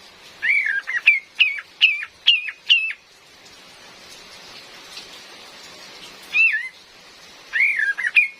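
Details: Lure recording of a female Cream-vented bulbul with rain sound: a slurred whistle leads into five quick hooked notes, then after a hissing gap two more whistled slurred phrases.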